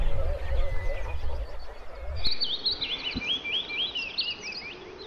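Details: Wood warbler: after a background of mixed birds and a low hum, a sudden click, then a quick trill of high, wavering notes continuing for nearly three seconds.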